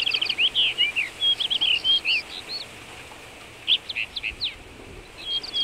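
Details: Common rock thrush singing in Shahdag National Park, Azerbaijan: a rapid, varied warbling phrase of sweet whistled and fluted notes for about two seconds, a pause, then further short slurred notes and a clear whistle, over faint background hiss.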